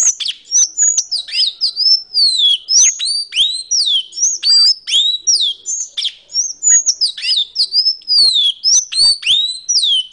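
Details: Sanhaçu, a tanager, delivering a long, busy stream of thin, high, twittering notes with repeated downward-curving slurs and quick sharp ticks, sustained for about ten seconds over a quiet background.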